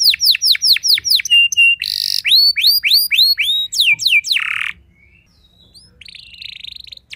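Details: Singing canary meant to trigger rival canaries: quick repeated downward-swooping whistles, a brief harsh buzz, more looping chirps, then a fading thin tone and quiet pause.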